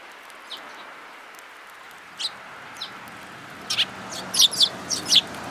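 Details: Sparrows recorded 10 June 2018: short, high, sharp chirps, scattered at first and then clustering into quick bursts of several notes toward the end, over steady low background hiss.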